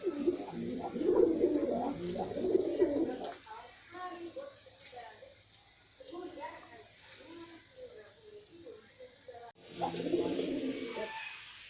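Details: Male white pigeon performing, with low, throaty cooing in rolling bursts that swell loudly at the start, fade through the middle and return strongly near the end, recorded in a small indoor space.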